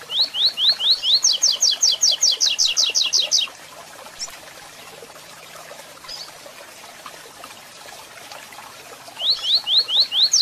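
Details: Double-collared seedeater performing the 'Tui Tui Zel Zel Zel' third-note training song: four upslurred whistles leading into a rapid string of high doubled notes, a long quiet gap with scattered faint chirps, then the phrase starting again.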